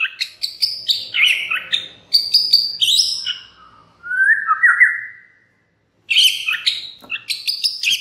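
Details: Lure song of a white-rumped shama, played so other shamas join in loudly: choppy high chirps, then a long, rich, rising whistle, a second of silence, and renewed sharp chattering notes.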